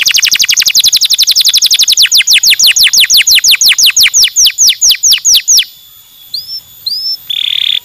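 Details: Bird song from a bird mastering recording: a fast series of sharp downward-sweeping notes, about seven per second, slowing slightly and ending after five seconds; then a few soft upslurred whistles and a brief buzzy note on a quiet background.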